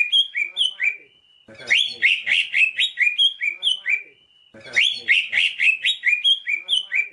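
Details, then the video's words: A greater green leafbird (cucak ijo) sings a bright, varied run of clear whistles and quick chattering notes, repeating about every three seconds, used as a tutor recording for training cage birds. "masteran burung cucak ijo"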